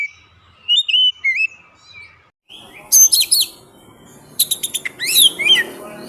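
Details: Tutor recording of Oriental magpie-robin song for training songbirds: a few clear whistled notes, then sharp buzzy chips and rapid high harsh phrases against steady background hiss.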